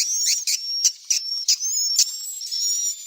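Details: Young swiftlets calling, a sound used to lure swiftlets in to roost: a thin, high, steady whistle broken by loud, short, buzzy bursts at irregular intervals.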